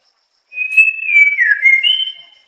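A White-rumped Shama gives one clear, pure whistle lasting nearly two seconds. It wavers and dips midway, then lifts to a slightly higher note. No other sounds are heard.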